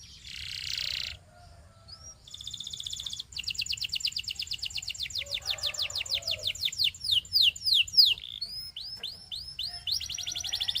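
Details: Belgian canary singing: a brief buzzy burst, a pause, then a long rapid trill of sweeping notes that slows into separate looping whistles and further fast rolls.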